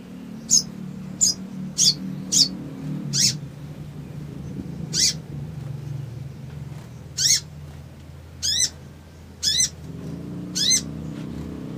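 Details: Crimson sunbird calling to provoke an emotional response. About eleven sharp, high, downward-arched chips at irregular gaps of one to two seconds over a low background hum.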